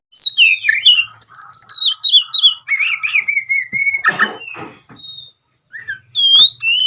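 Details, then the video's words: Caged oriental magpie-robin in fighting mood, its song used to provoke rival males; varied clear whistles sliding up and down, broken by harsh buzzy bursts and a short pause before rising whistled notes resume. "burung kacer NGEPLONG tarung KONSLET ful isian ini AMPUH buat PANCINGN lawan ikut konslet"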